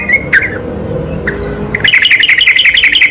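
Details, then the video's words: Yellow-vented bulbul lure song at night: a few scattered whistled notes over low murmur, then a sudden rapid, chattering run of higher, bubbly notes in quick succession. "burung trucukan seketika langsung nyaut dengar suara pancingan ini"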